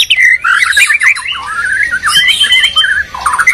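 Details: White-rumped shama (murai batu) from Medan and Borneo in a fierce singing duel, a territorial bird: loud, rapid, varied phrases of harsh squawks, slurred whistles and chattering notes, nearly continuous and strident.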